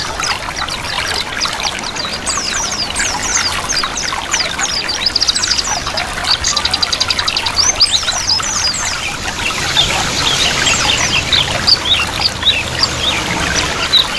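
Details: White-eye chirping combined with a running-water track: a dense stream of quick, high, twittering chirps, many overlapping, over the steady trickle and pour of water.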